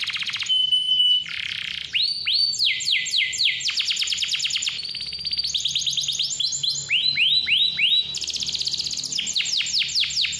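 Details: Canary in steady full song, clear-voiced lure to prompt young or reluctant canaries to sing: fast high trills switching between pitches, interspersed with bursts of down-slurred sweeping notes and a brief pure whistle, nearly continuous for ten seconds.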